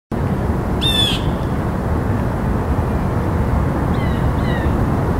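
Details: Blue jay giving one harsh, buzzy call near the start, then two faint, thin notes later, over a steady low rushing background noise.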